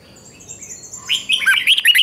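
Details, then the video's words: Red-whiskered bulbul training its morning song: thin high whistles at first, then a rising run of bright, warbled notes growing louder toward the end. "Luyện chào mào hót sáng 2024"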